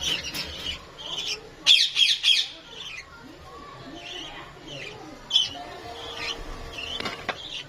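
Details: Lovebirds in Lahore giving shrill, sharp squawks, with a tight run of three loud calls early on, then scattered quieter chirps and a late burst over faint background murmur.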